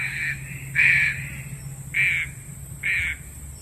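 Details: Green pigeon call used as a lure for bird trapping: short flat, nasal notes repeated irregularly, four bursts in under four seconds with a quieter held tone between, over a steady high electronic whine and low hum.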